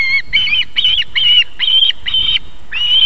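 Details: At a South Estonian nest in Võrumaa, evening of 31 July 2021, a female osprey feeding her chicks gives a repeated run of bright, slightly buzzy whistled notes, about two per second, with short pauses between.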